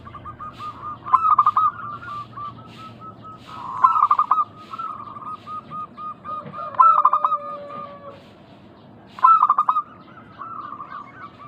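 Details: Lure sound of local zebra doves for drawing replies from other doves: chains of quick coos with loud stuttered bursts near one, four, seven and nine seconds, plus a lower sustained note.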